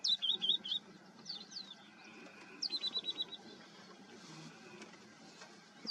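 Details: A Red-necked Falcon in India gives short bursts of shrill, high chattering notes, four or five quick kek-like notes per burst, separated by pauses, over faint background hiss.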